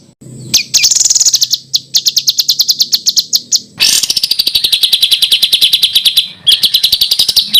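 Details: Small bird in harsh Indonesian tutoring phrases: continuous fast rattling chatter of sharp high notes in several runs, the middle run dropping slightly in pitch.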